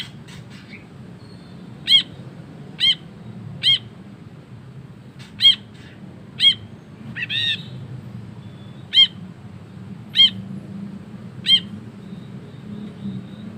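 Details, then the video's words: Ashy bulbul giving a long 'ngekek' chatter for tutoring songbirds: loud, clipped, ringing notes spaced unevenly about a second apart, one short buzzy burst midway, steady low background hum. "BURUNG BRINJI KELABU GACOR NGEKEK PANJANG"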